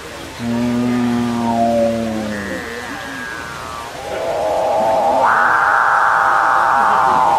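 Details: Excited capuchinbirds calling at one another and at the person filming. A low, rough harmonic growl slowly falls, a brief higher tone follows, then a rising moo jumps up into a loud, sustained cow-like lowing.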